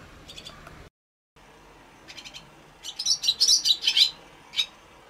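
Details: Swallow at a nest on its sixth day of incubation, 17 March 2021, mild cloudy day after rain, gives a few thin, high chirps, then a quick run of bright, squeaky twittering notes lasting about a second and a half.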